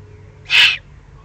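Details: Excited juvenile Eurasian eagle-owl in the Eifel on 21 June 2020 gives a single harsh, hissing, rasping begging burst lasting about a third of a second against quiet background rumble.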